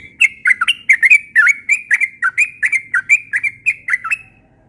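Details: Yellow-vented bulbul in the morning, rapid ropel style: an unbroken string of loud, bubbling, down-slurred notes repeated several times a second on a clean, quiet background.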